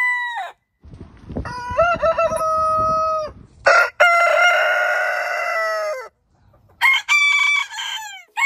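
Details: Heritage-breed roosters crowing in sequence: a short crow, a long steady one over background noise, a harsh extended crow, and a final stuttered crow.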